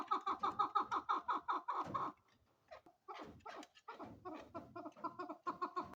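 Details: Female chukar partridge calling with a fast series of throaty clucks, a short pause with scattered notes, then the clucking rhythm picks up again.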